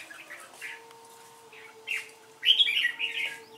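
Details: Red-whiskered bulbul singing competitively: a few soft chirps, then a loud rich warbling phrase near the end, over a steady low electrical hum.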